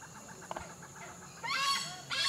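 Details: Black hornbill flying back and forth at low level, giving two bursts of loud, harsh, harmonic-rich yelping calls that rise sharply and hold, over a steady background drone of insects.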